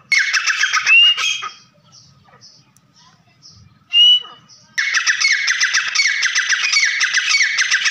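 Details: Trap-lure partridge calling: fast, harsh chattering notes run together in dense bursts, a quiet gap with one sharp whistled note, then the rapid chatter resumes steadily to the end.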